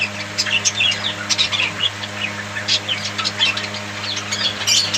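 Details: Several budgies chatter continuously, a busy mix of high warbles, chirps and short squeaky notes over a low steady hum.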